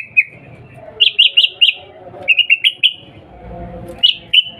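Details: Sooty-headed bulbul, described as a female calling a male to provoke a reply: brief bursts of three or four quick chirps separated by short gaps, with low background rumble near the end.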